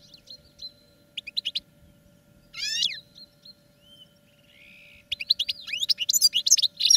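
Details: Caged European goldfinch in training gives scattered twitters and a short buzzy trill, then a long slurred note before a closing burst of rapid tinkling song; a faint hum runs throughout.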